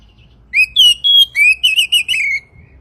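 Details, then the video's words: Oriental magpie-robin whistling a training song meant for morning and evening: sweet rising and falling notes in a steady series, ending with a drawn-out downward slur, with faint low background rumble. "masteran Kacer pagi dan sore"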